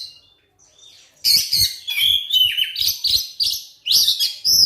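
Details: Oriental magpie-robin lure song for coaxing silent birds to sing: after a soft whistled opening, a continuous stream of loud, varied high warbles and sharp chirps in quick succession.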